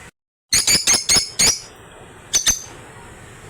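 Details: African lovebird chatter: a quick string of five shrill, buzzy squeaks in close succession, then two more sharp notes after a short pause.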